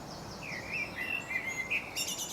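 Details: Common blackbird in England singing on a tree branch, delivering a rich fluted warble of rising and falling whistled notes, closed by a squeaky high-pitched twitter; faint background hiss.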